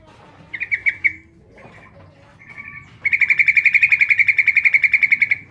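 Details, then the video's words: Female Yellow-vented bulbul calling for the male: a few short, scattered chirps, then a sustained fast chattering trill lasting over two seconds. "trucuk betina memanggil jantan"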